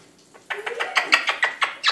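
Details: Eclectus parrot kept as a pet, evening talking session: a rapid run of about ten sharp, clipped chattering notes, roughly eight per second, after a brief slurred onset, in a quiet indoor room.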